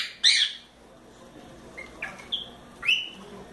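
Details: A young cockatiel at play in its playground gives one loud harsh call, followed by a few short, soft whistled notes and a final rising call.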